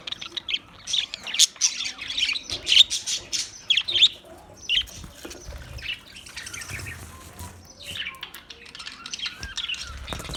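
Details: Loud chirping and squeaky calls from Australian parrots at first, fading into softer chatter over a hiss resembling running water.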